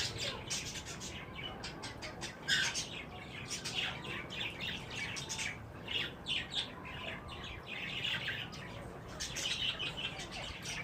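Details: Strident squawks and quick chirps from wild green ringnecks in mating behaviour, delivered in short clustered bursts separated by brief pauses.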